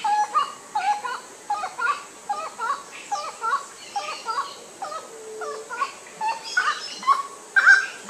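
Grey-cowled wood rail gives loud, nasal, yelping notes, repeated about twice a second in a rising-and-falling chant, with a faint background hiss.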